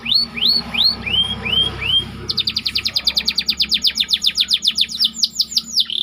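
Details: Caged white canary song used to train other birds: a run of slurred upward-curving whistles repeated about twice a second, then a fast even rattle of rapid notes with a faint low hum behind.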